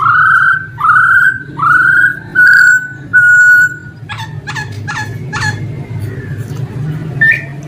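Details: Male laughingthrush repeating five strong upslurred whistles about once every 0.8 seconds, then harsher broadband chattering notes and a final short whistle, over a faint hum.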